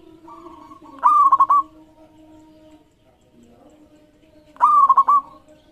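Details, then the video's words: Local zebra dove song used to prompt other doves to sing: two loud phrases, each a rising note followed by a rapid trilled run of three or four cooing pulses, about 3.5 seconds apart, with softer dove voices in the background. "Masteran Perkutut Lokal Gacor Iramanya Mengundang Lawan Bunyi"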